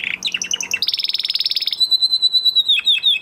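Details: Canary, a male singing after moulting, runs quick chirps into a fast buzzy trill, then a long high whistled note ending in short dropping notes.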